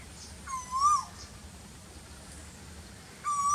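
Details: Asian koel in very hot weather: a loud whistled note that swells and slightly rises before falling away, then a quiet gap and a second, level whistle starts, with low constant hum behind.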